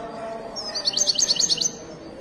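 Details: Wedani-style European goldfinch from Morocco, recorded at Casablanca's Souk al-Qriaa bird market. It delivers a short, fast string of sharp, high twittering notes under a second long. A steady low crowd murmur sits beneath.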